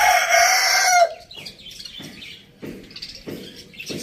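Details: Farm village rooster, the end of a loud crow filling the first second and falling off sharply. Then come a few soft, spaced clucks and faint background chatter.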